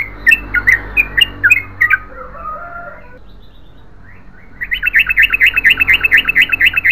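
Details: Yellow-vented bulbul chirping in a fast series, pausing for about two seconds with a soft low warble, then bursting back into a rapid, dense run of bright repeated notes.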